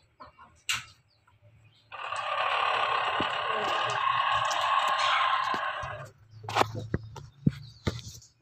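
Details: Pelung rooster giving a long, sustained crow of about four seconds, steady and rough-edged, with scattered clicks and thumps before and after.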